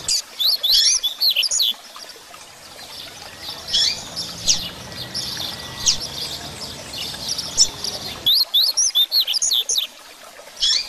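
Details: Double-collared seedeater in 'grego' song style, used as a teaching song: rapid bursts of sharp, high, zigzagging whistles open and close the passage, with a softer continuous high twitter and faint low hum between.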